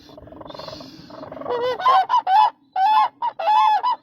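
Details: Low, rumbling, buzzy background gives way to quick bursts of loud, rolling, nasal honks from a demoiselle crane, several coming in close succession.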